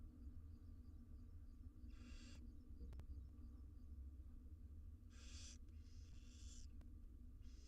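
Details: Wild barn owl nestlings, six in a monitored nest box in Israel, begging while being fed; several harsh broadband hissing bursts of about half a second, spaced irregularly over a steady low hum.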